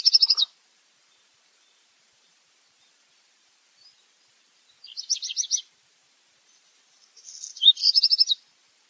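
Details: High rattling phrases from a black redstart, spaced several seconds apart, the last preceded by a soft crackling rustle before a quick run of metallic notes; otherwise quiet.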